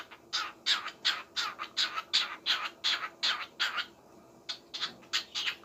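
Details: Small parrot singing: a quick series of harsh, scratchy chattering notes, about three per second, with a brief pause before the chatter resumes, recorded indoors.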